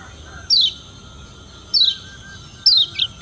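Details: Lombok yellow white-eye, a caged bird used to challenge rivals: three high, short, downward-slurred whistles about a second apart over a faint steady hum.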